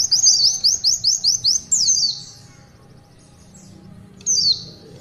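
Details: Quick series of sharp, high upslurred notes from an Oriental white-eye in tulitwitwit style, then a buzzy descending phrase, a long quiet stretch, and one last thin falling note.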